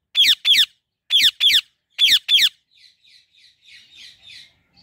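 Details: Female Indian ringneck parrot in a blooming apple tree gives three pairs of loud, harsh, shrill screeches, then drops into quieter, rapid, scratchy chattering notes.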